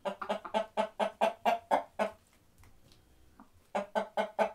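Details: Loud chickens on a farm clucking in a fast, steady rhythm of about ten clucks in two seconds, then a quiet pause before another run of four clucks.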